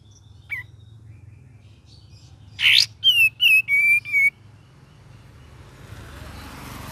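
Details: Cream-vented bulbul in gacor, ngeriwik-style singing: one rough, rising burst, then a quick run of four short whistled notes, each gliding slightly lower, over faint background hiss.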